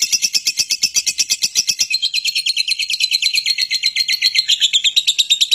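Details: Lovebird lure audio of a long chattering trill. Rapid buzzy notes run continuously at about six per second, and the band drifts slightly lower midway.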